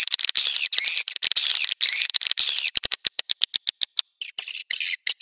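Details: Swiftlets lured to nests with this Naga Merah call: several drawn-out, wavering buzzy chirrups, followed by a run of sharp clicks and brief raspy notes.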